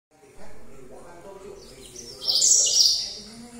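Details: Yellow canary singing at night: after a quiet start, a short bright burst of high twittering notes rises sharply in loudness over a low murmur of background sound.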